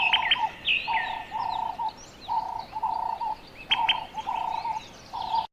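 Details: A flock of African guineafowl in the jungle gives harsh, rasping, mid-pitched calls in overlapping bursts about twice a second, broken by sharp, high, clicking notes.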